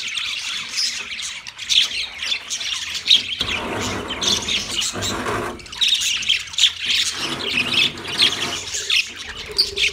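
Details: Mating chirps of a yellow male budgerigar, continuous high squawky twittering with a brief rougher, noisier passage midway, then the chattering carries on.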